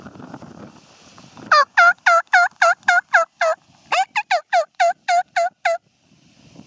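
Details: Wild turkey tom gobbling in spring 2014: two rapid series of loud, clipped, rattling notes, about four per second, broken by a short gap. Faint low rumbling comes before the first series.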